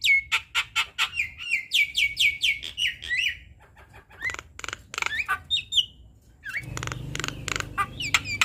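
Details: Black-winged starling with a full, constant song for training young birds: loud ringing notes with rising flicks in rapid series, then scattered whistles and shorter clicks, and a low hum entering near the end.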